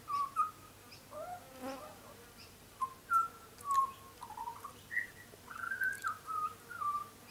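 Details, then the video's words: Young butcherbird, still lighter black and very tame, visiting a garden it comes to often, sings clear fluted whistles near one to two kilohertz, some sliding, spaced irregularly, with a brief buzzy rattle early on. "Young Butcher Bird is singing a song"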